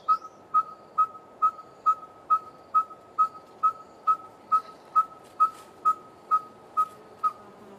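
A Red-fronted Tinkerbird gives a monotonous series of hollow, mid-pitched 'pok' notes, about two per second, with faint higher calls of other birds behind.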